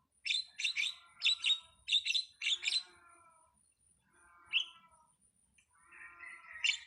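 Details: Starling (jalak) delivers a quick run of five buzzy, harmonic chirps, then a pause, a single sharp note and a final rising whistle.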